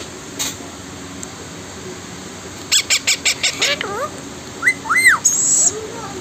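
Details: Blue Indian ringneck parakeet, described as a talking parrot, gives a rapid run of harsh clicking squawk pulses, then several short arched whistled notes rising and falling, over a faint steady background hum.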